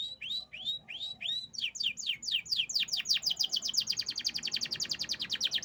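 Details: Song of a canary: a few slow rising whistles, then a quickening rattle of sharp repeated notes that speeds into a long, even, high trill, loud and close.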